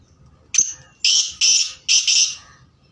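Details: Black francolin in high spirits, singing: a short sharp opening note, then loud, harsh, grating two-part phrases pitched high, each about half a second long, against a quiet background.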